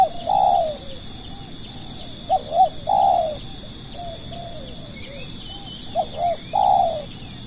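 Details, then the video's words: Spotted dove used as a lure for other doves, calling three times: a long descending coo, then paired short notes leading into another falling coo, set against scattered small bird chirps and a continuous high-pitched insect drone. "burung tekukur pikat"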